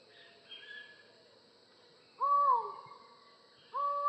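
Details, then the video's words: Collared forest falcon of tropical Latin American rainforest: after quiet background birds, two loud long arched calls arrive about 1.5 seconds apart, the first trailing off in a falling slur. "Falcon Call Video: Collared Forest Falcon Bird Sound"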